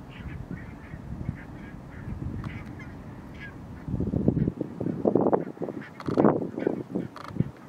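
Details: Thousands of Barnacle geese in Nationaal Park Nieuw Land, Flevoland, the Netherlands, keep up a steady overlapping babble of short yapping barks that swells into louder bursts of calling partway through.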